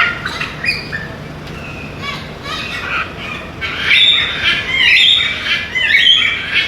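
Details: Macaw parrots giving harsh squawking calls, a scattered series early on followed by louder, denser raspy squawks with overlapping voices in the second half.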